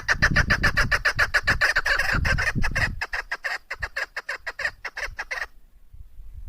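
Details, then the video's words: Female chukar partridge, hunting bird, uttering rapid chuk-chuk notes about four a second, loud at first over low rumble, then thinning out before falling silent near the end. "Madi Chakor Awaz Mada Zerka Female Chakor Soundشکاری مادی چکور آواز"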